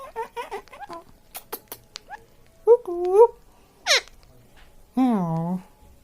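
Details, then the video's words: Pet Indian ringneck parakeet talking indoors: a run of quick speech-like syllables with ringing harmonic tones, two drawn-out mimicked words, a sharp rising squawk, then a long wavering, nasal vocal phrase, with quiet room noise between. "Indian Talking Parrot Funniest moments"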